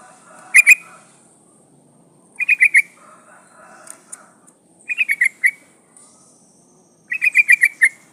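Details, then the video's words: Female sooty-headed bulbul in breeding condition calling to attract a male; bright chattering bursts of two to five quick, clipped notes, repeated every two to three seconds, with softer lower warbling in between against a quiet background. "trucuk betina memanggil jantan"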